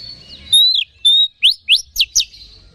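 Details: Oriental magpie-robin lure song to excite other magpie-robins: a couple of long level whistles, then four rapid rising upslurred notes at a steady pace.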